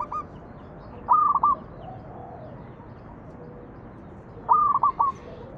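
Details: Zebra dove song used to lure other doves into singing: clipped rolling coos, then a fuller phrase of three or four rapid notes, repeated after a quiet gap of roughly three seconds.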